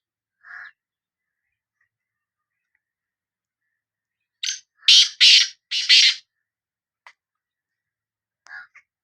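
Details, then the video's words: Black francolin (kala teetar, Sindhi bird) calling. A soft low note and a long silence come first, then five quick, loud, rasping notes in a tight series. A few faint notes trail off afterwards. "Kala Teetar Voice | Black Frankoline Voice کالا تیتر کی آواز"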